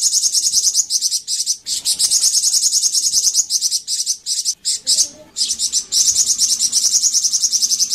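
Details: A golden-bellied gerygone song, used to prompt other birds of the species to answer: a very high, thin, rapid chattering run of notes in long bursts, with a brief pause near the middle.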